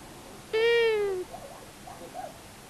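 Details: Long-eared owls, male and female, visit a common buzzard nest at Tiszavasvári, Hungary, on March 23, 2022, seen on a live nest cam: one strong, nasal, drawn-out call falling at its end, followed by faint softer sounds.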